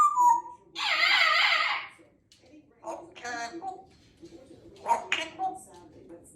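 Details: Female Congo African grey parrot, under two years old, kept as a pet in a country home and described as very chatty. A loud nasal, harmonic squawk-like word, then shorter voiced mumbles and a rasping burst in a quiet room.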